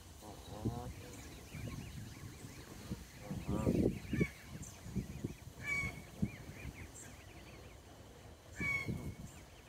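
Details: Baby Canada geese on a cold morning, 20 May 2023: several harmonic, nasal honking calls in short bursts, with faint high thin peeps, over low thumping and rustling ground noises.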